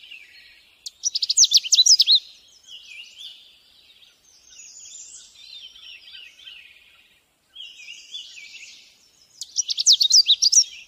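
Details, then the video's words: A Canada warbler gives two quick bursts of sharp, jumbled high notes, each about a second long and roughly eight seconds apart, with softer bird notes between them. "Burung Canada Warbler"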